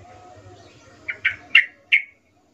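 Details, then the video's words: Yellow-vented bulbul from the wild, vocal and active: after a second of soft background murmur, four short bright notes spaced irregularly, the last two loudest. "suara trucukan gacor"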